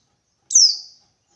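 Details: A single high whistled note sliding downward, from a wild white-eye seeking a rival; otherwise silent.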